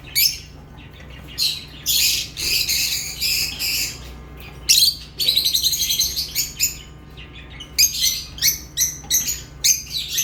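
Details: Lovebirds chirping in lively bursts: dense high, rasping chirps, then quicker strings of sharp separate tweets, over a low steady hum.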